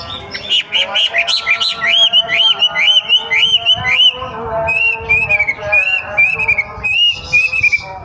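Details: Young wild wambi singing: clear whistled phrases, rising and falling loops repeated in quick succession, with a steady low tonal hum beneath.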